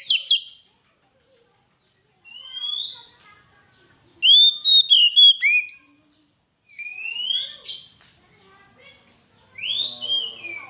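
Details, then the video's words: Vigorous kacer (Oriental magpie-robin) song for a lure master: separate upslurred whistles spaced by pauses, with one burst of six quick loud notes, each phrase high and clear over silence. "Suara burung Kacer gacor masteran pancingan suara burung kacer"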